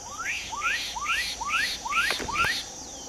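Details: Black-capped donacobius singing a run of six rising whistled notes, each sweeping upward, repeated about twice per second, over a steady high insect hum with a couple of sharp clicks near the end.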